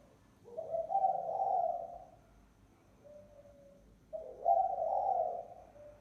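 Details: Spotted dove giving its lure call: two husky, low coo phrases about three and a half seconds apart, each opening with a brief note and swelling into a longer trailing coo. No other sounds stand out.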